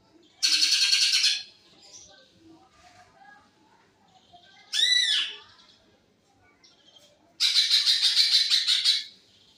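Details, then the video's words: Green leafbird delivering filler song in short blasts: a rapid, harsh, high-pitched chattering burst, then a looping whistled phrase, then another long buzzy rattling burst, with quiet gaps between. "tembakan isian cucak ijo."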